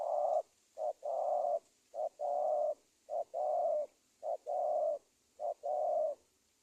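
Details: Spotted dove cooing used as a trapping lure for wild doves in Indonesia: rapid steady rhythm of short note plus long flat coo, repeated about once a second, five times, over faint hiss.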